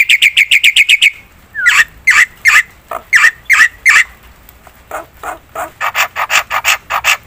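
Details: Black-winged myna recording used as a lure: a fast run of squawks, then slower, louder harsh calls spaced about half a second apart, ending in quieter rapid notes.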